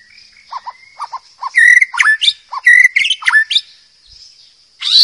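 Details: White-rumped shama singing in the wild, recorded as tutor song for young birds: low double notes, then loud rich phrases of whistles and rapid trills, ending in a rising sweep, over a steady high hum.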